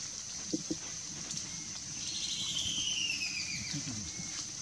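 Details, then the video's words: Red-billed Scythebill calling in Guainía, northeastern Colombian Amazon: a high, rapid run of notes sliding steadily downward over about two seconds, above a constant insect hiss and a few low knocks. "Red-billed Scythebill Vocalizando"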